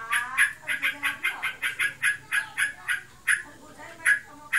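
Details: Sooty-headed bulbul in breeding condition, ngebren singing: quick, sharp chirped notes repeated in a fast sequence, pausing briefly before a few final loud chips.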